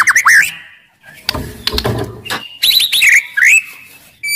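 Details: White-rumped shama, described as aggressive and loud-voiced, delivering song meant to provoke other shamas: looping whistled notes and a held pure tone, a rustling gap midway, then more rising whistles.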